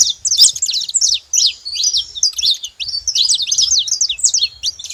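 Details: Free-living saffron finches gathered in a flock at a feeding site in the wild, giving a busy stream of thin, high chirps and slurred twitters, almost continuous with a couple of short gaps.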